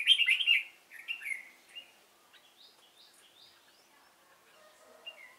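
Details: Decoy red-whiskered bulbul, Cánh ruồi type, singing during bird trapping on 3 March 2017: a loud lively warbled phrase at the start, then softer, scattered rising chirps and whistles.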